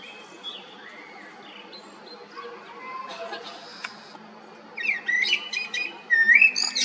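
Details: Common blackbird song rising out of a quiet start: faint distant whistles first, then a loud burst of squeaky, twittering notes and a rising whistle near the end, with a low steady hum.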